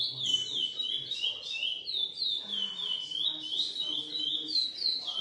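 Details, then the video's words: Lesser seed finch, bred in captivity, GP x Coimbra line, delivering rapid whistled phrases of rising and falling slurred notes in an unbroken flow, over soft low murmuring in the background. "Curió GP X Coimbra"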